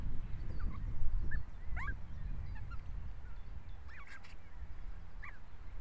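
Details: Osprey at the nest in Estonia during a dispute ("showdown") in the nest, giving short, thin whistled chirps that slur up and down, a few scattered notes over a steady low rumble of wind.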